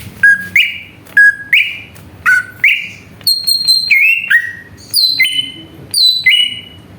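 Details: Greater green leafbird song played as a lure to stir other birds into singing: loud whistled phrases, each a level note leaping to a higher bright note, then higher sharp notes dropping in pitch, in quick sequence.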